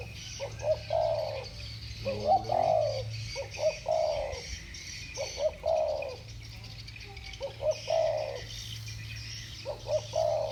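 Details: Spotted doves, two birds competing in the 'thổ bầu' voice: six or seven deep coo phrases, each with a brief lead-in note and a longer falling coo, roughly every 1.5 seconds, over constant low hum.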